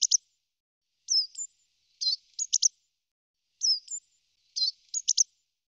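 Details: Great tit giving rapid mixed calls: thin high whistled fragments alternating with short buzzy and clicking bursts, irregularly spaced over a few seconds, with no other sounds.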